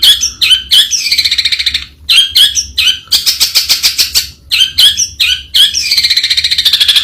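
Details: Long-tailed shrike calling loudly in rasping, nasal bursts. The bursts alternate with trains of rapid buzzy pulses and drawn-out grating notes that slide slightly downward. There are short pauses between phrases.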